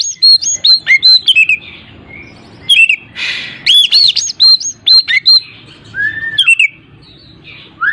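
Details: Oriental magpie-robin song meant to provoke a reluctant bird into singing: quick series of sharp looping whistles, a brief harsh burst, a low down-slurred whistle and a final rising note.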